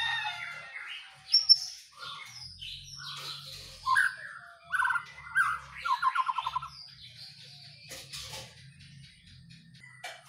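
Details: Energetic white-rumped shama song while the bird is set out in the dew: varied whistled and warbled phrases, fast trills and a quick run of repeated notes around the middle, with short pauses between bursts.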